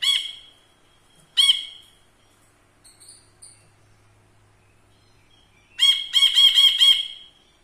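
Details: Ashy bulbul serving as a tutor bird for other songbirds, in front of the camera; two loud harsh notes, soft faint chips, then a rapid run of six buzzy, rich notes.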